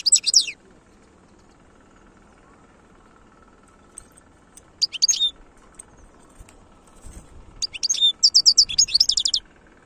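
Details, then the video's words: European goldfinch singing in the khlouwi song style: three bursts of bright, high twittering notes separated by pauses, the last a rapid run of repeated sharp trills, over a faint steady hum. "تغريد الحسون خلوي chont chardonneret"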